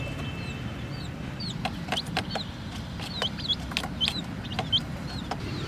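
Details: High chick peeps, hooked and slurred, scattered among sharp tapping clicks as the chicks play with a small toy jeep; a faint low rumble underneath.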